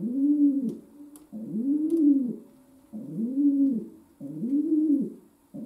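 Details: Pet domestic pigeon indoors giving a long run of low, arching coos, each swelling and fading, about one every one and a half seconds, with a faint steady camera hum underneath.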